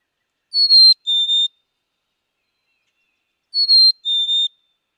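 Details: Black-capped chickadee singing its clear whistled song: two pure notes, the first higher and the second lower, sung twice about three seconds apart against a silent background.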